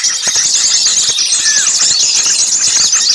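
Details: Small birds calling in a noisy crowd, recorded as a trapping lure: constant high-pitched chattering and squealing, one lower descending whistle standing out briefly near the middle.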